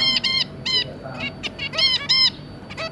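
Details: Zebra finches, two adults and three juvenile young, recorded 2 August 2022: loud, buzzy, nasal toy-trumpet beeps, often doubled, in close succession with short gaps and fainter calls behind.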